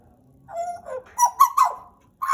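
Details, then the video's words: A pet Pied butcherbird gives a quiet low whistle, then louder mellow fluted notes that rise and wobble, ending with the start of a new phrase. "JAGAL PAPUA GACOR, Cracticus Nigrogularis"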